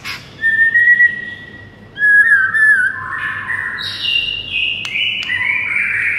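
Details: White-rumped shama song used in the morning to train birds: a long level whistle, then wavering slurred notes leading into a buzzy, descending run of higher whistles, with faint clicks.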